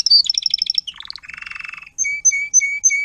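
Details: Adult Timbrado canary acting as tutor singer, teaching young canaries to sing, recorded 2021: fast repeated trills, a buzzy rattling run, then clear whistled notes with a lower steady tone, repeated about every quarter second.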